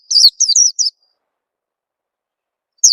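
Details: Lure call of a white-eye, meant to make birds sing: a quick burst of four bright, wavering high chirps, then two seconds of silence before another falling chirp begins.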